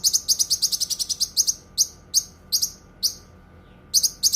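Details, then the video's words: Cucak kinoi starting with a rapid string of high chirps, slowing to spaced single notes, falling briefly silent, then resuming with quick doubled chirps. "Suara Kicauan Burung Cucak Kinoi"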